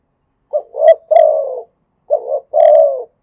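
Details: Spotted dove singing in the Thai khat and nun styles: two three-part cooing phrases, each a short clipped note, a rising coo, then a long, throaty coo sliding downward, about 1.5 seconds apart. No other sounds.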